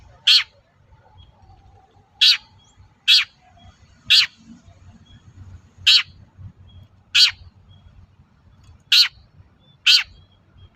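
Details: Long-tailed shrike (cendet) calling loudly, used to provoke other shrikes into replying: a series of abrupt, grating squawks repeated at uneven intervals of about one to two seconds, with soft faint notes and low hum between.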